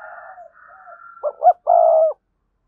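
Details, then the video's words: Decoy spotted dove singing with a strong voice. Soft low coos with a faint higher drawn tone give way to a loud ending phrase of two short rising notes and a long even croon. "Tiếng cu gáy mồi chuẩn, con mồi có giọng thúc hay và sung"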